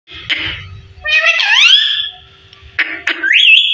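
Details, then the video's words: A 15-year-old pet parrot talking indoors: harmonic, voice-like syllables with a long upward-sliding whistle and short bursts, a steady faint tone underneath. "15 Year very beautiful parrot talking"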